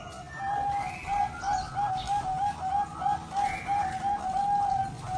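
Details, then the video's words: Zebra dove with competition-quality song: a continuous series of soft, evenly spaced cooing notes on one pitch, with other higher chirping birds and a noisy background. "Suara Perkutut Berkualitas Lomba"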